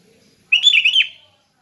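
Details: One fluid, warbling phrase from a sooty-headed bulbul in relaxed open 'ngeplong' song, a quick run of rounded, slurred whistles ending on a lower dip, with faint low murmur beforehand.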